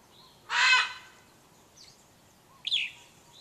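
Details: Household bird in the morning, loud enough to bother the neighbours: a harsh, harmonic squawk lasting about half a second, a faint brief note, then a shorter screechy call that rises sharply.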